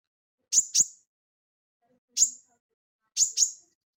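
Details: Crested jay (sogon) notes used as tutor audio for cage birds. Sharp, loud high chips come in pairs and singles, spaced by clear silences.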